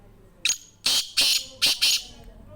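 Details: Kala tetar, the black francolin, calling with five rasping, buzzy notes within about one and a half seconds: a single note, then two close pairs, loud and harsh against a quiet background.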